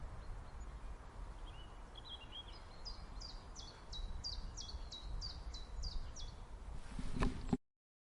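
A chiffchaff sings a run of about a dozen bright notes, alternating higher and lower in a steady 'chiff-chaff' rhythm, over strong low wind rumble.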